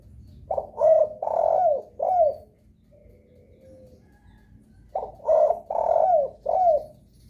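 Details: A spotted dove cooing as a lure to make other doves respond; two phrases of low hollow notes, short coos around one long drawn coo, ending with a downward slur, with a quiet gap between.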